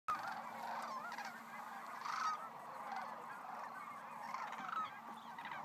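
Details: Sandhill cranes at Monte Vista National Wildlife Refuge: a dense chorus of many overlapping rolling, rattling, trumpeting calls with no break, louder bursts near two seconds, over a steady low hum.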